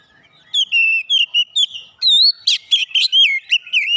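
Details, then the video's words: Oriental magpie-robin fighter-type therapy song for raw birds: after brief quiet, a rapid run of loud whistles, sliding notes and sharp chirps, steadily repeated with clean background. "terapi tes Kacer bahan cepat keluar karakter fighter"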